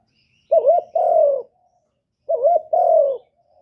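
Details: Spotted dove, recorded in 2023, repeats a two-part phrase twice, about two seconds apart: a quick wobbling coo, then a longer, gently falling coo, with quiet in between.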